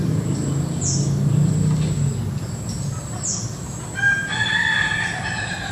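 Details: Ayam Ketawa (laughing chicken) crowing in an afternoon garden setting; after several seconds of low rumbling background, a loud harmonic crow begins near the end and holds in stuttering bursts.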